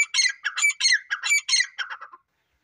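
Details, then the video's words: Grey francolin, locally called sabz dakni teetar, giving a loud, harsh, rhythmic call: about seven ringing, scratchy phrases repeated roughly every third of a second, fading toward the end, then silence. "Sabz dakni teetar ki awaaz"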